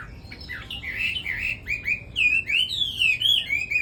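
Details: Red-whiskered bulbul song of quick, bright whistled slurs, rising and falling in short linked phrases, growing louder and more continuous in the second half; steady low background hum.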